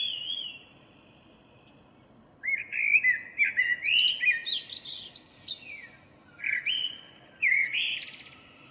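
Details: Morning song of a local Common blackbird (Turdus merula), recorded 2 April 2013: rich fluty warbled phrases that break into high chattering flourishes, delivered in bursts separated by short silences, with faint background hum.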